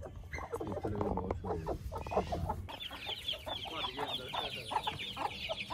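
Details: White Aseel Heera hens hatching golden buff chicks together in a handmade wheat nest; deep clucks fill the first half, then high thin chick peeps take over alongside fainter clucking.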